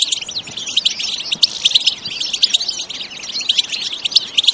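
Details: Energetic bitbita song by a European goldfinch, natural sound: rapid bright twittering punctuated by sharp emphatic chirps, steady over the short stretch.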